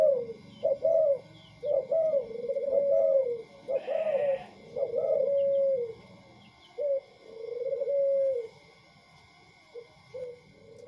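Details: Very tame spotted doves, a white one and a local wild-type one, cooing in repeated mellow phrases of short hooked notes followed by longer sliding coos, over a steady low hum, with faint high chirps from other birds.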